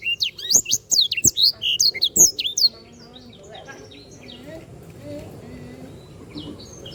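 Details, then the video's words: Canary singing vigorously, recorded as a tutor song for training other birds: a fast burst of varied whistled and chirped notes, many sweeping up and down, for under three seconds, followed by quiet background hum. "sanger gacor. masteran burung"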